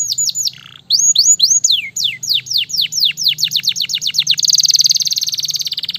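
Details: A canary, called a Gloster in the title, sings fast and in full voice: sweeping notes drop from high to low, speed into a rapid run and end in a bright, buzzy trill; Belgian canary.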